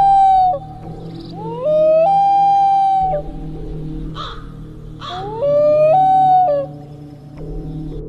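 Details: Loon, offered as one of the scariest bird sounds. Long, haunting, harmonic wails slide upward and then hold level, three main phrases separated by pauses, with short breathy noises between them and a low steady hum.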